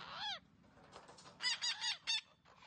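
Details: Green parrot producing talking sounds: a single arching, downward-curving squawk, a quiet gap, then four rapid, strongly harmonic raspy notes in quick succession, with soft noise between calls.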